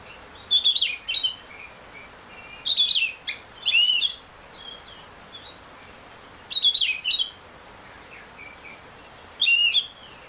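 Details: Oriental magpie-robin in ngeplong style, played to prompt caged birds to sing: loud, clear whistled phrases with rising and falling slides, delivered in bursts every two to three seconds over light hiss.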